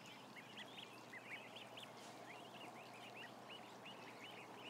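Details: A mass of roughly a thousand ducklings gives rapid, high, arched peeps in a dense overlapping chorus, several distinct chirps every second over a steady low hum.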